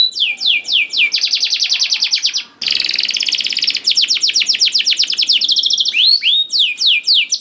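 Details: Canary song played to coax young birds into singing, made of sustained fast trills of descending notes, a brief pause, more rattling rolls, then ringing upswept whistles at the end.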